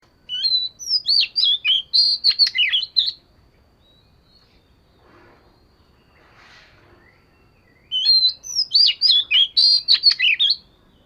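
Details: Oriental magpie-robin of the fish-scale type, singing as daily voice training: two rich bursts of varied whistled and chattering notes about three seconds each, separated by a quiet pause of nearly five seconds.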